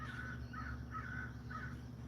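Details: American crow cawing outdoors: four harsh, nasal caws spaced about half a second apart, with steady low hum underneath.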